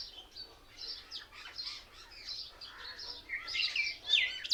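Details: A flock of mynas sitting together in one tree chatters in a busy mix of high whistles, squeaks and harsh chirps overlapping without pause, mimicking other birds.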